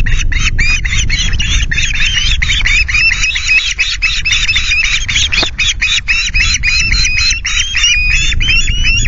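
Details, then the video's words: Ospreys at a Loch Garten nest, Scotland, at 09:00 on 9 August, screech in rapid, shrill, repeated whistles, several birds calling almost nonstop to drive intruding osprey BlueKL5 from the nest, over low wind rumble. "Our indignant boys screech BlueKL5 away from nest ~ Osprey"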